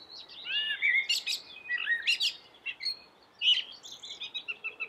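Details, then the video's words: Common blackbird in melodious song: flowing fluted whistles interleaved with sharp high squeaks, loud slurred phrases recurring over a steady soft background hiss. "suara merdu common black bird"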